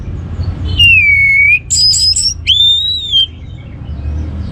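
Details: Lure song of the orange-headed thrush (anis merah) to encourage other birds to sing: a long clear whistle dipping and levelling, a quick run of very high notes, then a rising, steady whistle; faint low hum behind.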